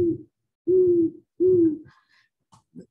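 An owl gives three low, steady hoots, a short one and then two longer ones, roughly a second apart. A few faint clicks and soft higher notes follow.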